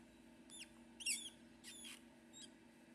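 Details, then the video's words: Four-day-old blue-crowned laughingthrush chick, critically endangered, hand-fed in an aviary after being taken out of incubation; thin, high peeping notes sliding up and down in a few short bursts over a low steady room hum. "4-day old Blue-crowned Laughingthrush gets a tasty treat - "Feed me more!""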